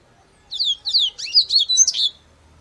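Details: Yellow-bellied seedeater (papa-capim) singing a brief twittering phrase: quick high chirped notes in a run of about six bursts, some slurred downward, lasting under two seconds, against a quiet background.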